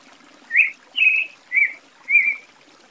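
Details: Creamy-bellied Thrush (Turdus amaurochalinus), Brazil, giving four short, slurred whistled notes about half a second apart, mid-high in pitch, over a faint low background hiss.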